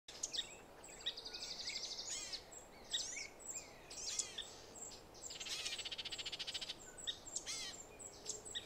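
Baltimore oriole giving harsh chatters, one long dry rattle near the middle, amid a busy mix of high chirps and slurred notes from other birds.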